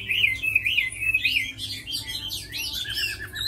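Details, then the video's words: Tame Chinese hwamei kept for fighting and song, giving rapid wavering whistled notes that climb into higher slurred sweeps, followed by a short quavering trill. "Mi thuần đấu tốt hót hay"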